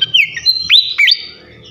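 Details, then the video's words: Srikatan kipas, a champion flycatcher, giving loud slurred whistles, several rising and dipping notes in quick succession, followed by a sustained thin high tone, with a faint low hum in the background. "gacoan ngeplong masteran asah mental burung jawara khas srikatan kipas"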